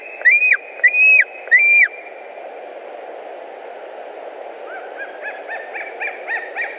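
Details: White-tailed eagle calling at a nest in Latvia, August 2019 afternoon: three loud, arched yelping notes, then a pause and a fainter, rapid chatter of thinner notes further off, steady hiss throughout.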